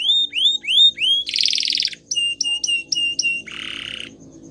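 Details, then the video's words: Gloster canary training song: rising curved whistles, a buzzy rattle, clipped repeated notes, then another rattling trill fading out. "Gloster Canary Singing | Canary Training Song"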